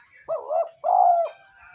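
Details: Spotted dove lure call for wild doves and decoy training: a single loud, low, husky coo phrase in two parts, the second longer and fuller, with faint chirping behind.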